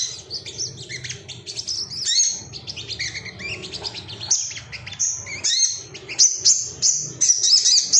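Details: Ruby-cheeked sunbird, agitated male seeking rivals, giving varied high chirps, twittering runs and thin held whistles, with loud stretches and short breaks.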